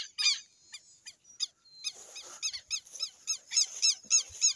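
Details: Southern lapwing in the Amazon, a few spaced shrill notes at first, then a quickening train of strident, hooked kree calls about three and a half per second.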